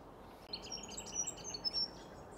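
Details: White-breasted woodswallows at Sandy Camp Wetlands in Brisbane, Queensland, in May 2023, recorded on Canon cameras; a quick run of thin, high chirps and short twittering notes close together over two seconds against a quiet background.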